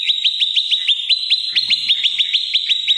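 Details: Prenjak lumut, a prinia, used as a lure and master song to provoke rivals and train oriental magpie-robins: a fast, steady series of high, sharp chip notes, about five each second, continuing without a break.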